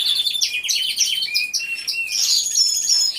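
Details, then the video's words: Canaries singing together in an aviary, recorded by a hidden camera: a dense overlapping chorus of quick descending chips, rapid trills and thin high whistles, with no pauses. "CANTO DE CANARIOS"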